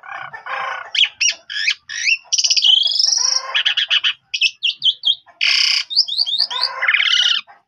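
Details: Asian pied starling (jalak suren) in full, lively song, played as a lure so untrained starlings answer. A dense, nonstop jumble of harsh buzzy notes, squawky bursts and bright whistled slurs.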